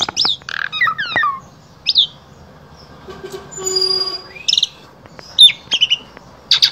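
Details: Asian pied starling from Wonosobo, Central Java, Indonesia, singing a full-repertoire song used to tutor other starlings: scattered sharp chirps, downslurred whistles and a buzzy rattling stretch, with pauses between phrases.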